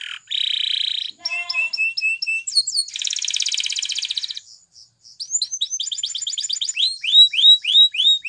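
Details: Training song by a Spanish Timbrado canary: a buzzy roll, a short gurgle, high chips, a long metallic trill, then repeated quick downslurred notes.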